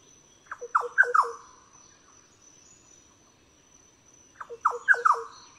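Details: Green oriole (Oriolus flavocinctus) giving two quick bursts of four mellow, liquid notes, about four seconds apart, over a steady high insect-like whine.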